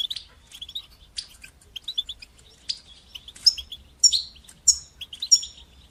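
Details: European goldfinch (Syrian goldfinch), song in the styles called batbata and satsata, used to encourage young goldfinches to sing: lively twittering of short high chirps and tinkling notes in irregular bursts, with faint low hum beneath.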